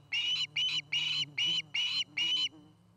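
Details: Osprey, one of a nesting pair near Charlo, Montana, heard on a nest camera: six short, harsh whistled chirps in an even series over about two and a half seconds, with a low hum beneath.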